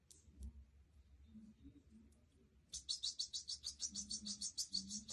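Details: Goldfinch singing: after a quiet stretch with a low background hum, a fast, dense twitter of high, chirpy notes starts near the middle and runs steadily to the end, roughly three notes per second.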